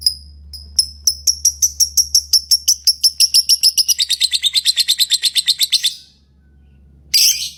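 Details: Lovebird singing and chirping: a rapid run of bright, high chirps, about three per second, speeding up and trailing off, then a pause and a short harsh burst, over a low steady hum.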